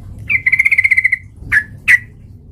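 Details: A yellow-vented bulbul in full voice, played as a fighting lure. It gives a fast, evenly pulsed rattling trill lasting about a second, then two sharp, separate chirps, against low background hum.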